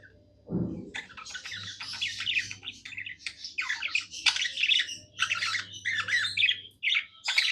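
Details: Happy pet budgerigar warbling: after a thump near the start, a long run of rapid chirping, squeaky twitters and buzzy notes in short bursts, steady low hum beneath.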